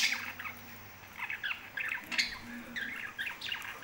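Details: Lovebirds kept as pets making rapid twittering chirps and short squeaky calls in scattered bursts, with a faint hum in the room.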